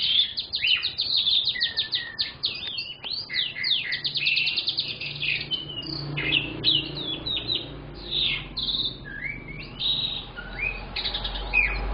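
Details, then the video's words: Young canary, a lively lure-bird singer: dense rapid trills of repeated sweeping notes at the start, easing into looser twittering and scattered whistles, over a low steady hum. "Suara Burung Kenari Pikatan, Gacor Banget Bro.."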